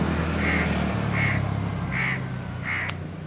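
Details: On a very hot summer day, Indian crows call from a tree: four separate rasping caws roughly every 0.7 seconds above a constant low-pitched hum.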